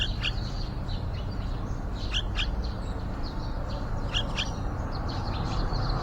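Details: Yellow-vented bulbul nest beside a window holding young near fledging; crisp high chirps, often doubled, sound several times across the stretch, with steady low hum underneath.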